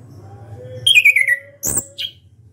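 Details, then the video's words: Orange-headed thrush singing loudly with open beak: a short whistled phrase sliding down in pitch, then a sharp high chirp and a brief high note, over a low steady hum. "ANIS KEMBANG SUARA KERAS BUKA PARUH"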